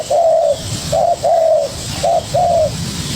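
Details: Young spotted dove reacting to a decoy, giving low mellow coos in pairs, a short note followed by a longer, slightly falling one, with faint background hiss.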